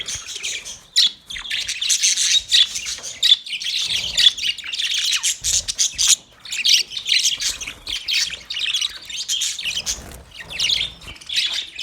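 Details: Nearly continuous warbling chatter from male budgies: fast scratchy high chirps and squawks running together for about twelve seconds, with only brief breaks.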